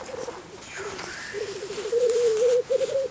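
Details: Black grouse lekking at a spring lek in Russia: a steady low bubbling, cooing warble runs through most of the clip and grows louder toward the end, with a faint rising note near the start.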